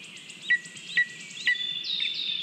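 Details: Lesser spotted eagle chick at a nest in Latvia, 27 June 2022, filmed by a live nest camera, waiting to be fed after an adult male brought a small mouse. Three sharp downslurred whistles about half a second apart, then a steady high thin whine, over faint insect-like buzzing.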